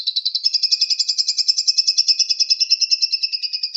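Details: Lovebird giving its long trilling ngekek song, a continuous high chattering trill of rapid pulses, about three per second in the loudness, sustained unbroken throughout with a slight upward drift, no other sounds.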